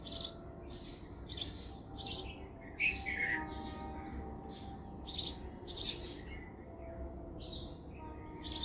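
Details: House sparrow calling with short, broadband chirps in pairs and singles, spaced irregularly about every half to two seconds, over a faint steady hum.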